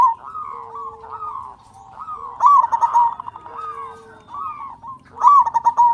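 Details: Loud local zebra dove singing as a lure to spur silent doves into song. The bubbling, rolling coos recur roughly every three seconds, with bright trilled starts and softer gliding notes between, over a faint low background.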